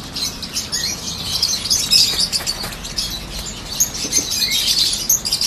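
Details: Peach-faced lovebirds, yellow birds among them, kept together. A dense, continuous mass of high, shrill chirps and squeaks from many birds at once, with scattered sharp notes standing out above the din.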